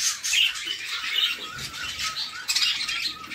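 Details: Nestling budgerigars begging as their mother feeds them in a nest box: scratchy, wheezing squawks with a few squeaky peaks, dense and unbroken, a louder burst near the end.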